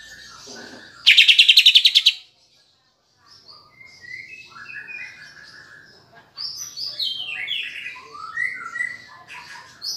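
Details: Greater green leafbird song filled with kapas tembak phrases, played to excite kept birds: soft warbling, a loud one-second dense rattling trill, a pause, then varied whistled and chattering notes rising and falling.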